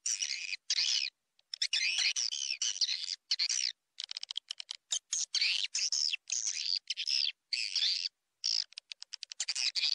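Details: Swiftlet calling, played to draw in swiftlets: nearly continuous, dense, high-pitched chirring and twittering, broken into many short bursts with flickering clicks and brief abrupt silences.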